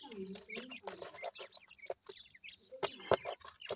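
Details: Grey francolin chicks: low slurred notes at the start, then scattered high thin chirps mixed with sharp tapping clicks.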